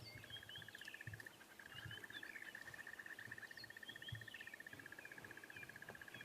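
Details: At sunrise on 2 June 2016, in Sabi Sand during a quiet dawn chorus, a crested barbet gives a long, even, mid-pitched trill like a ringing alarm clock, almost six seconds long with one short break, over faint chirps and low rumble.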